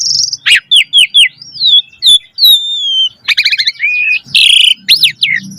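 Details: Lively Javan pied starling song intended to get young birds singing: quick upslurred whistle notes, long drawn-out descending whistles, a stuttering rattle and a raspy burst.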